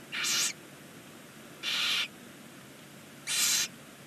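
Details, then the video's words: Barn owls in a chimney-side nest box in Ságvár, Hungary, first chick on day one: three harsh, breathy hisses, each about half a second long, spaced roughly one and a half seconds apart over a quiet background. "first chick day 1 Barn Owls"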